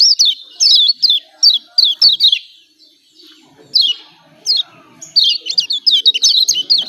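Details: Yellow white-eye of Lombok, Indonesia, with its 'ciak ciak' call, used as a lure to provoke lazy birds into calling: evenly spaced sharp high chirps, a pause, then a faster cluster of chirps.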